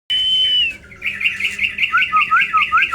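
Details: Tame caged yellow-vented bulbul in an aviary singing: a sustained high whistle that slides down, then a lively run of rapid bubbly warbled notes and looping lower whistles, repeated several times a second.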